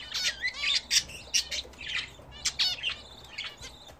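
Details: Budgerigars kept indoors as pets, bathing for the first time in a newly fitted bath, give lively scratchy twittering with quick descending chirps and short harsh squawks in close succession.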